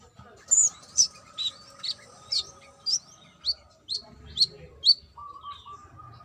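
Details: Brown-throated sunbird, a female said to be calling a male, giving a series of sharp, high, slurred chirps about every half second, each with a quick upward flick, over a faint steady hum.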